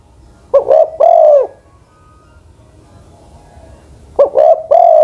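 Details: Old spotted dove decoy, aged over ten, gives two well-spaced coo phrases, a quick doubled note followed by a long arched coo, separated by several seconds of faint background hiss.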